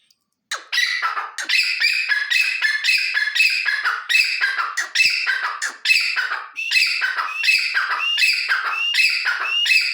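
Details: Partridge calling loudly and steadily, a rapid run of harsh, ringing squawky notes repeated over and over with barely a pause, close to the microphone, with no other clear sounds.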